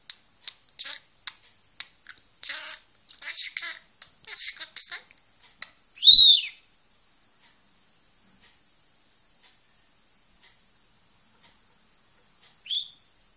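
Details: A pet budgerigar "talks", chattering in high, scratchy bursts that imitate speech as it says "Bismillah", then gives a loud whistled note.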